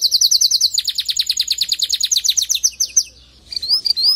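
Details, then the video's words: Male canary singing so a female will start nest building; a rapid rolling trill of repeated chirps for three seconds, a short gap, then a few rising whistled notes. "أقوى تغريد ذكر كناري لجعل انثى الكناري تلف العش بسرعه"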